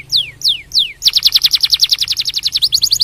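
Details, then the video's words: Canary song used to stimulate other canaries to sing: three loud descending whistled sweeps, then a fast run of bright repeated notes at about four per second, ending in quick rising-falling phrases, with a faint low hum beneath. "Esse Som de Canário Faz o Canto Explodir em Minutos"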